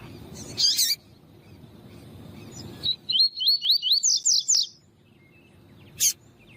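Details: Tuí tuí style song of a double-collared seedeater alongside a calling female meant to warm up a cold male: a harsh buzzy burst, then about eight slurred high whistles climbing slightly in pitch, then one sharp chip.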